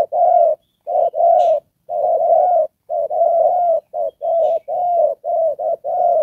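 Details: Spotted dove used as a decoy bird for trapping, cooing: a series of low, mellow hollow coos, some short and some drawn out, repeated almost continuously with brief pauses.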